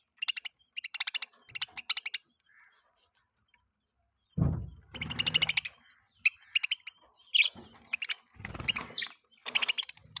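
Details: Pet budgerigars during mating: rapid high, scratchy chirps and warbled twitters in bursts, with one low rumbling thump partway through.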